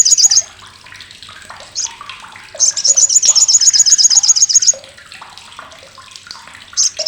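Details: Olive-backed sunbird, called sogok ontong or sriganti, giving its loud, harsh, sharp chatter, used as a tutor for contest birds: a rapid buzzy high burst of even notes lasting about two seconds, with short chirps before and a splashing water-like background.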